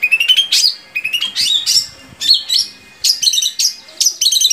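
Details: Long-tailed shrike singing to stir captive shrikes into song: loud, harsh, buzzy phrases with rising, scratchy notes and rapid chatters, uneven in rhythm.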